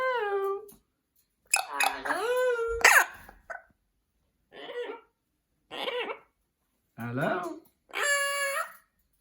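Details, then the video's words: A pet Amazon parrot, prompted by its owner with "say hello", repeats a voice-like "hello" in six short, rising-and-falling harmonic bursts about a second apart, in a quiet indoor room. "Parrot Saying Hello"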